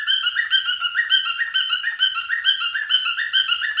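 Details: Male cockatiel singing in mating behaviour: rapid, regular run of short warbled whistled notes with rich overtones, rising and falling in a repeating pattern about twice a second, no other sounds.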